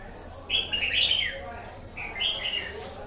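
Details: Red-whiskered bulbul, a wild-caught bird, sings two lively warbling phrases of quick high whistles about a second and a half apart over faint hiss.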